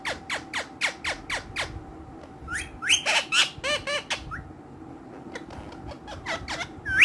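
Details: Playful pet green ringneck parrots give a fast run of sharp clicking squawks, then a burst of arched chattering notes and a few rising whistles, indoors.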